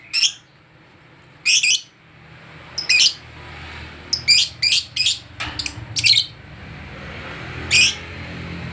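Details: Lovebird agitated on meeting another lovebird gives loud, harsh screeches one at a time, several in a cluster around the middle, with quiet background hum between them.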